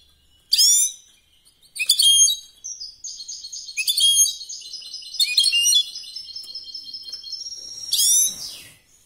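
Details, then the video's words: European goldfinch competition song: sharp descending chirps, then a long twittering, buzzy passage of repeated high notes, closing with another burst of chirps. "chant de Chardonnerêt de concour top"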